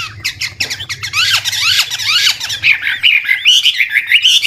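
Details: Old wild Chinese hwamei singing varied phrases to trigger young birds' singing; opens with harsh scratchy bursts and downward sweeps, then settles into quick wavering whistles, with low hum in background.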